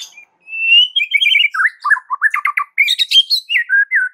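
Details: White-rumped shama song for provoking other shamas to sing: a long high whistle, then trilled notes, quick rising whistles, a harsh high chatter and closing slurred phrases.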